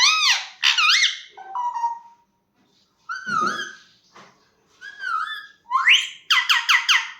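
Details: Pet parrot talking indoors: a run of squawky, speech-like syllables with rising and falling tones, a pause, then more chattered phrases ending in a quick series of bright repeated notes.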